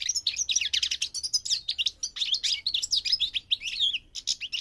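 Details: Migrating goldfinch in full, unbroken song, a dense, rapid cascade of high, tinkling twitters and buzzy slurs.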